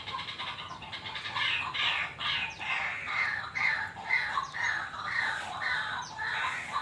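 Young bulbul giving harsh, raspy notes about twice a second, with several voices overlapping in a scratchy, insistent chorus.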